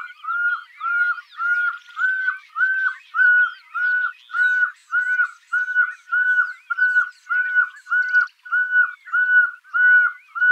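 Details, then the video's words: Pearl-spotted Owlet song: a long, steady series of clear, mid-pitched whistles, nearly two per second, with faint chirps of other birds behind. "Pearl spotted Owlet Song"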